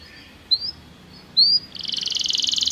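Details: Belgian canary song for training: two brief, thin rising whistles over soft background hiss, then a bright, fast trill that starts up and grows steadily louder.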